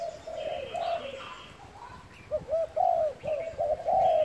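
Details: Spotted dove giving the cooing style known locally as gáy thúc and thúc gù: short, soft, hollow coo notes that rise and fall, at first drawn out, then bunched into quick repeated phrases near the end, with light background hiss.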